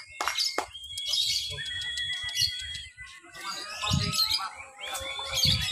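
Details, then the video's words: Caged lovebird competing in a mixed lovebird class at a Papua, Indonesia practice event on 31 October 2021. Its chatter sounds as a long, thin, steady whistle and bursts of high twittering. Faint low thumps and background noise run beneath. "LOVEBIRD THE BEST, NGEKEK SAMBIL NGERUJI/MERAYAP AUTO JUARA"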